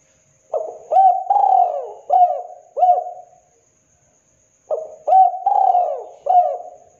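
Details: Two matching coo phrases from a vocal local spotted dove, each a rapid stutter, a long sagging note and two short hooked coos. A thin constant high tone runs underneath.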